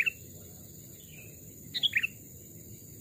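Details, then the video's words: Sooty-headed bulbul, a caged wild-caught bird aged two or three years, in a forest: a single brief burst of three quick chirps in near silence, with one more note at the close. "burung kutilang pikat||tes mental dan suara saat di hutan 2 jenis Burung Kutilang"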